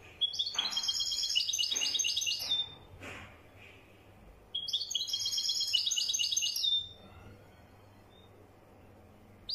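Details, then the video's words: Singing European goldfinch of the wedani type delivers two bursts of fast, liquid, tinkling twitter, each about two and a half seconds, separated by a short pause with a faint click. "تغريد لطائر حسون ويداني"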